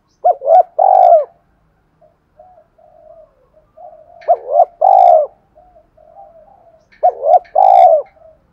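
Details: A spotted dove decoy, thổ sấm voice, calling to provoke and attract wild doves. Paired quick coos lead into a long hollow falling coo, repeated three times, with faint soft cooing murmurs between phrases.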